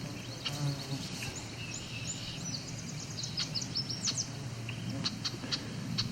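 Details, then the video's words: An annoyed female Red-winged Blackbird gives sharp, high chip notes in loose, uneven bursts at a field-swamp edge with cattails near Cape Chin North, Ontario, 17 July 2019; other birds call faintly over low wind or traffic rumble. "female red-winged blackbird calling here."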